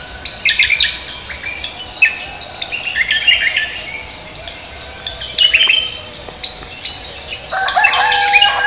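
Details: Morning song of a spirited cucak kombo: scattered clusters of bright high chirps and short whistles, with quiet gaps between bursts and a final dense flurry of notes.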